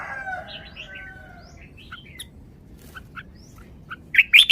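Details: A caged red-whiskered bulbul performs forest-style song with scattered soft chirps, then a final burst of three loud, sharp whistled notes. A rooster's crow fades at the start.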